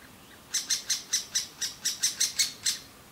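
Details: Great spotted woodpecker young in their nest cavity in an old aspen, begging loudly while the parents carry food; after a short quiet start, eleven shrill, clipped chirps follow in quick, even succession.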